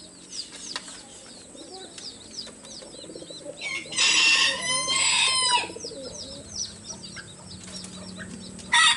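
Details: Roosters crowing to each other, loud and melodious. A harsh, two-part crow in the middle stands out over a steady chorus of small chirping birds. A brief crow fragment is heard at the end.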